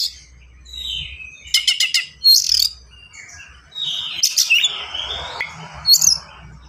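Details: Oriental magpie-robin singing in the fast, dense 'gacor speed rapat' style full of varied fill notes, used as a master song to train young birds: high whistled phrases, rapid buzzy trills and scratchy bursts, with a low hum beneath.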